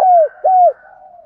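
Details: Two mellow hooting coos from a spotted dove, each sliding gently downward, from the calling sounds played to stimulate wild doves; a faint low hum lingers after them.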